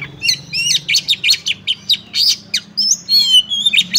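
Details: Female Oriental magpie-robin calling a male to spur it into singing: a fast run of short sharp chirps roughly every quarter second, then clear whistled notes sliding up and down, with a faint low hum underneath.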